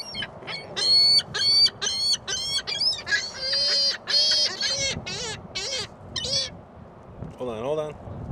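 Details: Gulls at a mall on Christmas Day 2014 in strong wind: rapid runs of loud, harsh, laughing squeals repeated about twice a second, then drawn-out mewing wails, over constant wind rumble.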